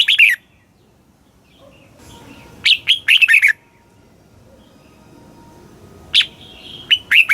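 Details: Red-whiskered bulbul in Thailand singing the southern master style, played to rouse caged birds and teach young ones: brief warbled notes, a full phrase of sharp whistles and bubbling slurs, then another phrase beginning after a long pause.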